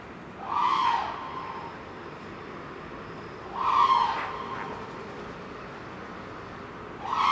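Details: Black crowned crane at a zoo gives three loud, nasal honks, each under a second and about three seconds apart, over a faint steady background hum.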